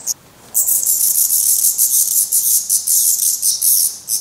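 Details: Black Redstart fledglings at their nest in Portugal, parents still bringing food; after a short quiet gap, intense high-pitched, hissy calling bursts out and runs on in rapid repeated pulses.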